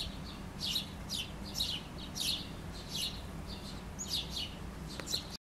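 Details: A chickadee grabbing food outside a house's back window before flying off with it gives harsh, buzzy dee notes in a steady series, about two per second, over a low constant hum.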